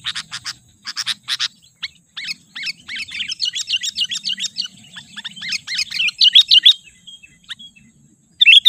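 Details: Sooty-headed bulbul lure call used to provoke wild bulbuls and as a tutor recording: bright, bubbly chirps and quick whistled phrases in irregular bursts, high-pitched and lively, with a few sharp rattling notes at the start.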